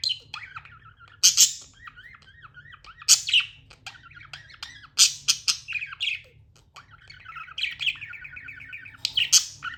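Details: Tame budgies chirping: a steady wavering warble of looping whistled notes broken by loud, buzzy squawks about every two seconds, over a faint low hum.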